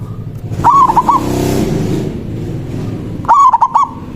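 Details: Local zebra dove's manggung song, a lure for calling rivals: two short bursts of rolling, bubbling coos about two and a half seconds apart, set against continuous low rumbling background noise.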